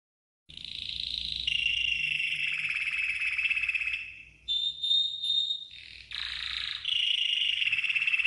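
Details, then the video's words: Training song of a red canary: long buzzy rolling trills held steady, broken by a pure high whistled note and short chirps before the dense rolls resume, over a faint low hum. "The Best Red CANARY Training Song"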